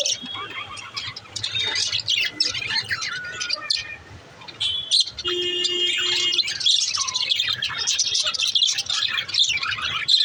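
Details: Budgie chatter of whistled chirps and trills, fading to a quieter stretch before a lower steady whistle and then a dense, loud burst of twittering toward the end.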